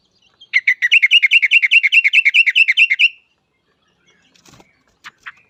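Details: Actively singing yellow-vented bulbul, used to lure other bulbuls into singing: a rapid run of about twenty-five bright repeated notes lasting over two seconds, followed by faint scattered clicks.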